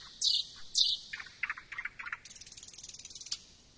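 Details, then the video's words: Thrush nightingale song: two loud high notes, a set of short knocking notes, then a fast dry rattle of ticks before a final accent. "Luscinia luscinia"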